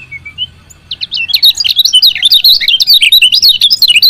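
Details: Female lemon-bellied white-eye giving its chirping call, used to stir lazy males into singing: a few soft whistled notes, then a fast, dense run of high, sharp twittering chirps that grows louder and continues to the end.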